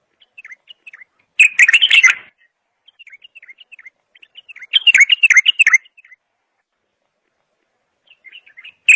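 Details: Bulbul song with quiet, scattered twitters broken by two loud, fast warbled bursts, each lasting about a second, and a few soft notes toward the end.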